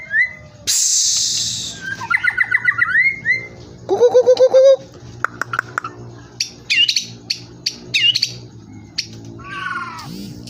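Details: White-rumped shama in full song, mixing a harsh hissing burst, rapid trilled rattles, sharp clicking notes and slurred whistles in quick varied bursts, with a constant low hum behind.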